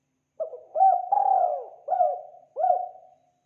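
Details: Clean spotted dove call for luring birds: a continuous run of five mellow, low coos. Each opens with a quick rising hoot and then falls away, with one longer sustained coo near the start.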